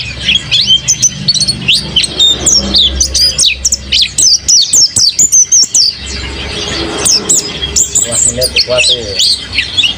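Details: Energetic song from an owned mountain white-eye, a dense stream of sharp, high twittering notes in quick bursts, pausing briefly near the middle before resuming just as busily.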